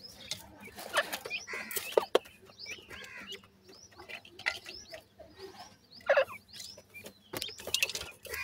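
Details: Sindhi teetar (francolin) chicks calling: many short, arched peeps rising and falling, scattered and overlapping through the clip, with occasional louder clicks and knocks among them.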